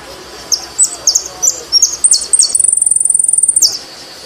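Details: Argentine saffron finch song: several separate high, slurred chirps, then a long rapid trill of very high uniform notes, ending with a falling slur.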